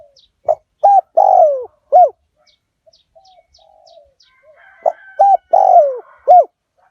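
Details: Spotted dove of the 'lio tan' fierce line, used to lure wild doves: a loud four-part coo phrase, a stretch of soft low cooing and faint ticks, then the loud phrase repeated.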